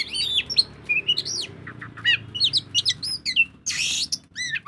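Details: Oriental magpie-robin in full, continuous ngobra song, played as a lure to make other birds sing: dense, high whistled notes, quick upslurs and chattery phrases, with a brief harsh rasping burst near the end and a low background hum.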